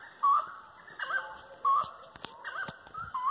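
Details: Grey-necked wood rail singing at dusk, 25 March 2022 at 18:30, along tree-lined paths; strong nasal hooting notes near one kilohertz, rising and falling, with a few sharp clicks between phrases.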